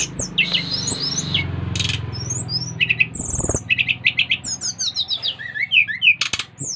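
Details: Lively song of a brown-chested jungle flycatcher from Bali, singing to spur other birds to join in; a low hum fills the start, then rapid twittered notes and short descending whistled slurs.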